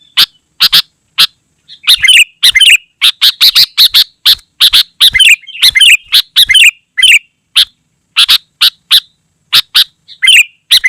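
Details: Long, dense burst of sooty-headed bulbul song, used to call wild bulbuls and tutor caged ones: sharp clipped notes, then a torrent of bubbling, jumbled chirps and warbles that thins out at the end.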